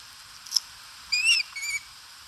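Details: Osprey at the nest while eating, Satakunta, Finland, 4 August 2022, live camera; two thin, fainter whistled notes, the first arching up and down, the second shorter, over steady background hiss.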